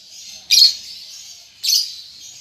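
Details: Baby lovebird learning to chatter, two harsh high chirps about a second apart over thin continuous twittering.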